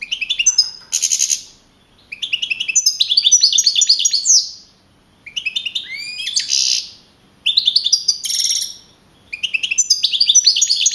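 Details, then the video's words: Contest-winning young male European goldfinch of wild type, first at an April 2012 singing contest in Navalcarnero, Spain. Rapid tinkling, twittering phrases alternate with harsh buzzy bursts and downslurred notes, separated by short pauses. "JILGUERO CAMPERO CAMPEON 2012"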